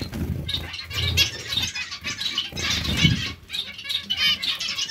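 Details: Many zebra finches in a colony call together, a rapid stream of nasal, buzzy honks in rolling waves, with a faint low-pitched hum beneath.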